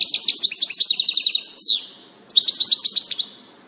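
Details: European goldfinch singing on 16 June 2018: rapid tinkling twittering phrases of dense, high metallic notes, broken by a short buzzy downslurred note and a brief pause before another fast twittering burst.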